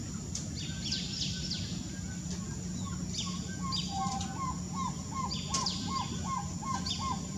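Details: In the Brazilian Amazon, a Black-tailed trogon gives a steady series of low, hollow cow notes, about three per second, while other birds add high chirps over a constant background hum.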